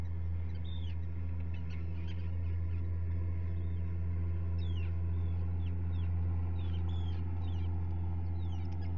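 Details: Two newly hatched common guillemot chicks on a live camera, 27 June 2020; thin, high whistled peeps slide downward, scattered through the recording and busier in the second half, over a constant deep droning hum.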